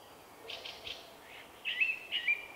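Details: Shy male common blackbird with a distinctive song, March 2024: three soft, short notes in quick succession, then two louder, level whistles about half a second apart.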